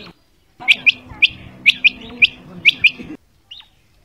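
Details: Female quail (batair) calling: sharp, high chirps, often in quick pairs, about eight notes in two and a half seconds, over a faint low hum, then a short silence and one weaker note.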